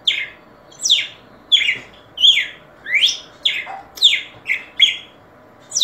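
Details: Red-cowled cardinal delivering about nine harsh, falling notes in six seconds, some paired closely together, over a low constant hum.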